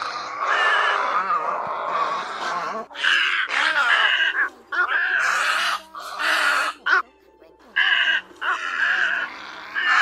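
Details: Egret lure calls for night netting, great egret among them: grating, throaty squawks in irregular bursts, growing more broken toward the end with several short silences, a steady electric hum throughout.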